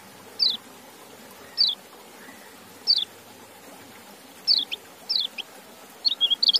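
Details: White-eye, locally called kecial, a kept bird offered apple: sparse, sharp descending chirps at uneven gaps of one to one and a half seconds, quickening into a short twittering run at the end.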